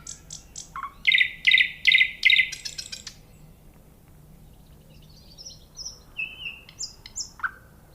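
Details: Nightingale song with a few high ticks, then a series of loud rhythmic buzzy notes about twice a second, fading into soft high whistles and slurred downward notes.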